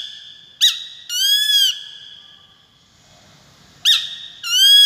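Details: A peregrine falcon gives two call pairs, each a brief sharp note then a drawn-out, bowed, harsh wail, with a quiet pause between them and a faint constant high tone beneath.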